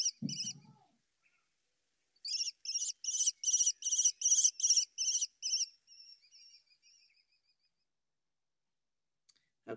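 American Kestrel giving a fast series of about eight shrill, high "klee" notes, then a softer trailing chatter; brief low thumps at the start and end.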